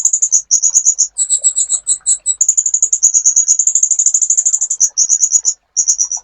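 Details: Sunbird on a master recording for training songbirds: dense high trills, interrupted by a run of slower, clearer paired notes, then rapid chattering again.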